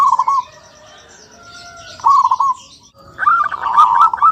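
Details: Perkutut, the zebra dove, singing repeated rolling, staccato cooing phrases, the last one longer with a brighter rising note over a rapid trill, set against soft high chirps from other birds.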